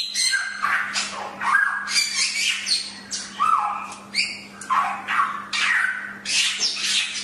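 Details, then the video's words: Chinese hwamei delivering harsh, squawky bursts mixed with short downward-slurred whistles, pulsing roughly every half second to second, loud and rough-toned, with a low electrical hum behind. "Masteran Suara Samyong"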